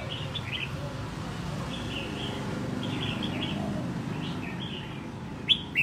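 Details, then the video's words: Red-whiskered bulbul, captured wild and kept caged for a year toward song competition, repeats brief slurred whistled phrases about every second, then a sharper louder note near the end, over low rumbling noise. "chào mào bổi sau một năm có thể thi đấu được"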